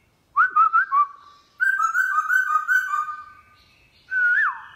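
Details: Wild-caught Black-throated laughingthrush singing a forest-style song in the morning: clear whistled phrases, first a quick run of short bouncing notes, then a longer warbling stretch, and finally a single swooping whistle, with no other sounds.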